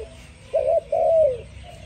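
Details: A single spotted dove song phrase: a brief, quavering coo and then a longer, gently falling coo.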